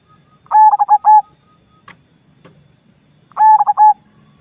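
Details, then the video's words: Zebra dove, Javanese type, delivering two short bursts of about five fast, clipped cooing notes roughly three seconds apart, with a faint click and low background hum between phrases. "perkutut jawa bikin gacor"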